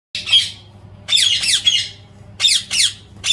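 A rose-ringed parakeet gives harsh, grating screeches, about six in short bursts of two or three over three seconds, with a faint low hum behind.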